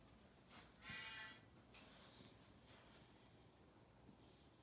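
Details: Rescued Indian ringneck (rose-ringed parakeet) roaming the halls of a parrot sanctuary gives one harsh, high, squawky call lasting about half a second, followed by a quiet room with faint rustles and taps.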